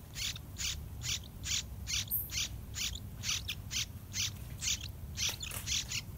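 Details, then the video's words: Yellow-vented bulbul chicks, fully grown and near fledging, in the nest awaiting parents bringing fruit and large dragonflies, give harsh, high, raspy begging notes, about two every second, over a low background rumble. "Bulbul Feeding Oversized Dragonfly To Baby Birds!"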